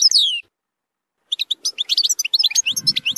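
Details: European goldfinch singing a zilzal-style tutoring song meant for young goldfinches to learn. A sharp descending note opens, then after a pause comes quick high twittering of varied chirps, with a faint low rumble near the end.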